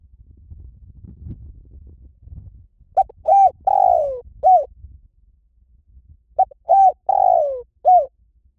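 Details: Spotted dove giving two cooing phrases about three seconds apart. Each phrase has two short coos, a longer coo that falls in pitch, and a final short coo. Faint low rumble is heard between the phrases.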